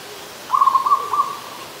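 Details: One trilled, bubbling coo from an adult zebra dove at Ubon Ratchathani, Thailand, 24 December 2020; quick pulsed notes run together for about a second, steady in pitch, with a quiet backdrop.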